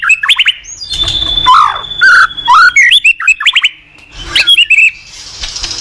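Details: Morning song of a caged white-rumped shama used as a training lure: harsh bursts mixed with clear whistles, one long steady high whistle, then quick sharp note clusters and a fading warble.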